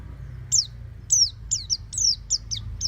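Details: Oriental white-eye in a home cage, ngeplong style: sparse, sharp, high downward-sliding notes about every half second, some doubled, over quiet low background noise.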